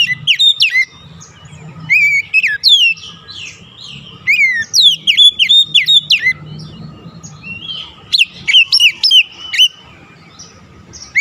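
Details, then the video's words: Oriental magpie-robin song used as a lure to stimulate stressed birds that have stopped singing; loud whistled notes sweeping up and down in bursts, with short pauses between phrases and a low hum behind. "KICAUAN PEMIKAT DAN PERANGSANG BUNYI | Kacer stres macet bunyi langsung gacor"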